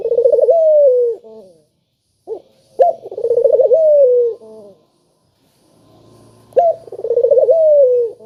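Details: Spotted dove call for prompting lazy doves to sing: two full phrases, each a quick tremolo run flowing into a drawn-out descending coo with a short tail note, separated by a brief pause and a faint low hum.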